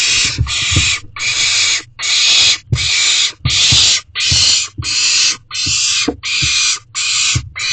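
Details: Nestling barn owl in an owl box at 9:21 pm, 16 May 2023, calling to its parents for food; rapid series of about eleven harsh hissing screeches, each under a second, with low thuds from movement in the box.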